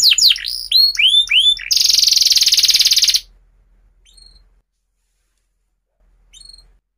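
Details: Canary song for teaching young canaries: quick swooping whistled notes, then a loud dense trill lasting about a second and a half, followed by near silence with two faint short upswept notes.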